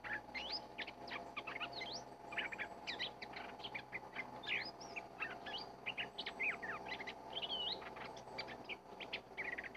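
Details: Wild red-whiskered bulbul lured with a decoy bird in a forest: a dense, busy stream of quick whistled phrases, rising and falling notes overlapping without pause, over a steady low background hum.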